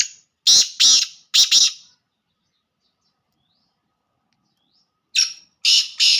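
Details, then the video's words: Black francolin giving a pure 'laka' style call: harsh, grating broadband notes, three bursts in quick succession, a long silent gap, then three more rasping bursts closing the sequence. "Pure Laka Kala Teetar"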